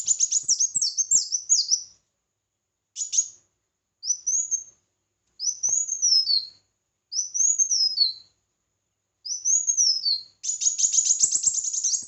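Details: Red-whiskered bulbul singing competitively: a fast, high warbled burst, then a string of short, clear, down-slurred whistled phrases spaced about a second apart, ending in another rapid chattering run.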